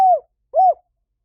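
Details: Spotted dove used as a lure for wild doves, giving two smooth, low coos: the first falling away, the second rising then falling, with a gap between them.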